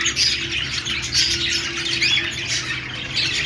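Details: Several budgerigars making happy sounds together, a busy stream of high squawky chirps and scratchy warbles with brief louder bursts, continuous throughout with faint low steady hum beneath.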